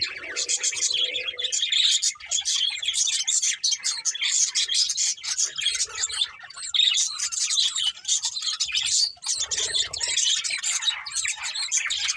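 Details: Budgerigars chirping: dense, continuous chatter of rapid scratchy twitters and warbles from several birds, with short squawky notes and brief lower murmurs near the start and around ten seconds.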